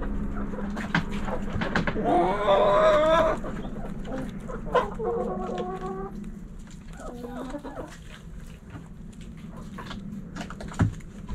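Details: Backyard hens clucking and roosters around them: a loud, wavering squawk-like call near the start, later softer broken cackles over a steady low hum and scattered clicks.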